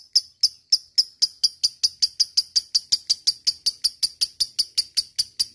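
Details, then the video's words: Lovebird sounds played to rouse other lovebirds into long trilling song; crisp, piercing high chirps repeated about four to five times per second in a regular, ticking rhythm. "Pendongkrak mental lovebird cepat naik EMOSI dan langsung jadi ngekek panjang berkat lovebird ini"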